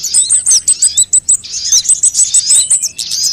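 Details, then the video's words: Sunbird calls from a lure recording of all kinds of sunbirds, made to draw birds in and prompt them to sing: rapid, thin, very high chirps in quick bursts, with short sliding notes, repeated across the whole stretch. "suara pikat semua jenis burung kolibri"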